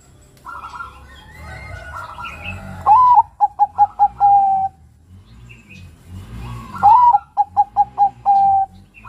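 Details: Young male zebra dove of the Bangkok strain, a kept perkutut, gives its soft trilling coo twice: a rising note, about five quick staccato beats, then a longer drawn-out end, over faint background murmuring.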